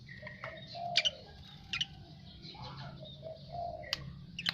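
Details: After bathing, an Asian pied starling mixes mellow low whistles with sharp high squeaks and clicks in a varied, jumbled phrase, set against a low droning hum.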